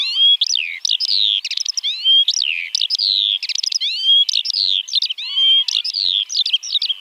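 A Eurasian Skylark pours out an unbroken, high-pitched stream of chirps, rapid trills and slurred whistles, with hardly a pause between phrases.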